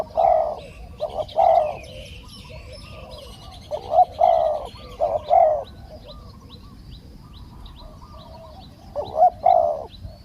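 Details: Spotted dove cooing in Thailand as a caged decoy draws in a wild dove. Bursts of two or three mellow coos are separated by pauses of a few seconds, with soft chirps behind.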